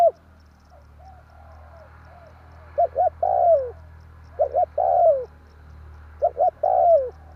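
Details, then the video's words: Lure call of a spotted dove for bird trapping: three coo phrases, each two quick hooted notes followed by a long swelling coo sliding downward, spaced roughly every two seconds over a low hum. "burung tekukur tarik akar/សំលេងលលកធ្នាក់លឺល្អ100%/Suara pancingan derkuku kuk"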